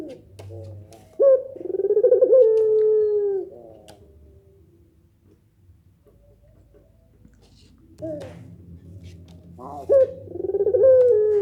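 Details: Barbary dove giving a pelung-style nangguk call that sets other doves responding: a sharp note opens a long, low, gently falling coo, then a quiet pause before a second coo begins near the end.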